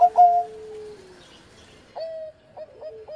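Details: Former champion zebra dove in engkel-style song: a quick bright opening note, a long flat coo gently falling in pitch, a short gap, then a series of short rolled coos stepping up and down.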